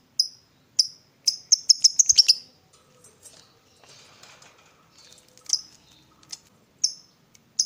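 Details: Lovebird in a morning stimulating session: loud high chirps, a quick rattling burst, soft scratching and rustling in a quieter middle stretch, then more separate sharp chirps.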